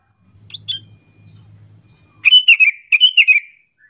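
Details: Sooty-headed bulbul lure call meant to draw other bulbuls into answering; after a low murmur and faint high ticking, two quick bubbly phrases of four chirpy notes, each sliding slightly downward.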